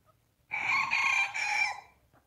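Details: Rooster crowing: one loud, harsh crow of about one and a half seconds in three connected segments, rich in harmonics, the last part trailing off and falling in pitch.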